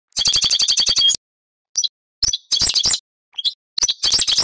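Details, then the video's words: European goldfinch singing: a fast run of bright, ringing twittered notes, then short scratchy bursts and quick tinkling phrases separated by brief pauses. "تغريد السرسور طائر الحسون"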